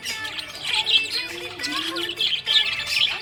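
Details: Cheerful budgie chatter, with rapid squeaky chirps and warbles packed closely together, some short downward whistles, and a quiet tonal music bed beneath the birds.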